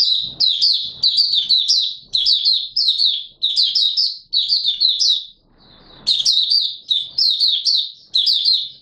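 An Oriental white-eye sings fast, high, tumbling phrases of sweet chirps and twitters in bursts of about a second, with brief pauses between them.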